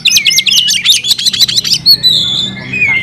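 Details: Oriental magpie-robin kept in a cage, in fighting-style song: a fast, dense run of high buzzy notes gives way to a long clear whistle and then a lower falling whistle, with a low background hum.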